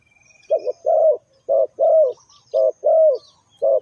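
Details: A Spotted Dove coos low and hoarse, short note then a longer drawn-out one, three pairs in under four seconds, with faint higher bird calls behind.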